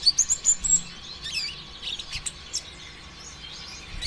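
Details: Brown-throated sunbird lure song, 'konin ijoan' style, played to set other sunbirds singing: a fast opening volley of shrill high chirps, then softer twittering and scattered faint ticks.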